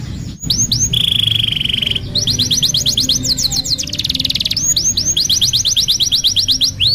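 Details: Canary song used to tutor young canaries: a few hooked whistles, a steady held whistled tone, then rolling tours of quick repeated notes and a dense buzzy stretch.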